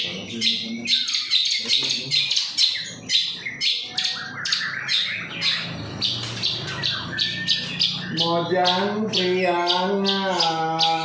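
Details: Long-tailed shrike singing as a lure for other birds: quick high chirps at an uneven rhythm, turning into harsh, nasal, buzzy squawks near the end, with low background hum.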